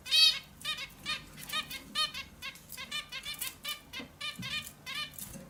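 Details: Indian bulbul delivering a rapid run of short nasal harmonic notes, roughly three per second, the first loudest and the rest fading slightly while continuing steadily.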